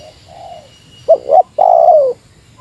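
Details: A spotted dove competing with a rival in the meratus call style. A soft falling coo leads into two quick clipped notes and one long, drawn-out descending coo.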